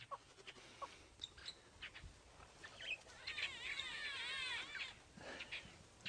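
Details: On a morning safari drive, Greater Blue-eared Starlings in a jackalberry tree shout at each other with nasal, wavering squeals and chatters. One long warbling phrase comes in the middle, amid scattered chirps from several birds.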